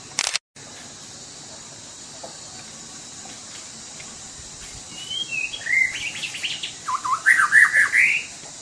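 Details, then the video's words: White-rumped shama, Sumatra, singing briskly: after a sharp click and a long quiet stretch with a steady high hum, whistled slurs and rapid, rhythmic chattering phrases build to a loud, busy finish. "murai batu sumatra. _suara asli alam gacor"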